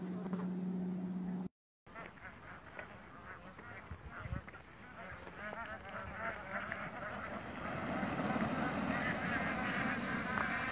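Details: Bar-headed geese on migration in Pakistan: after a steady low hum and a short break, a dense overlapping chorus of nasal honking calls from many birds builds and grows louder toward the end.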